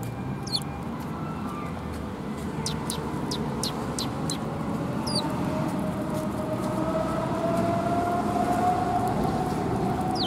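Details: Sparrows coming for food at a Tenmangu shrine on 25 January 2021: a scattering of thin, high chirps and short downslurred notes, mostly in the first half, over a steady, rising low rumble of traffic.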